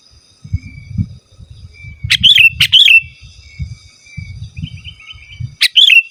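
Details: Sooty-headed bulbul singing plainly without mimicry, a song meant to call rival birds or tutor caged ones: a few bubbly, slurred whistled phrases separated by pauses, with a faint thin tone and low rumble behind.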